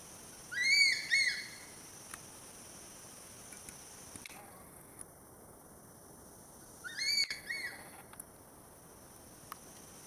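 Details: Crested serpent eagle in Rajaji National Park, Uttarakhand, India, giving two bursts of loud, ringing, whistled notes about six seconds apart. Quiet forest surrounds the calls, with only a few faint ticks between them.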